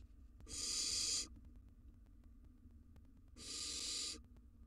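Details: Nest-box camera recording of a wild barn owl nestling during its flight training. It makes two harsh, wheezy hisses about two and a half seconds apart, each near one second long, over a soft low background hum.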